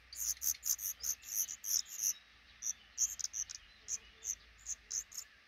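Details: Black redstart pair nesting in a small nook under a roof above a regularly used front door, eggs hatching and five chicks being raised; a rapid, uneven stream of thin, very high squeaky chirps, several per second, with soft background hiss.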